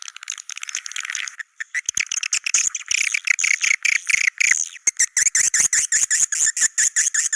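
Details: Swiftlets calling in the Goa China style: a wash of high twitter breaking into a fast train of short clipped chirps, roughly two or three each second.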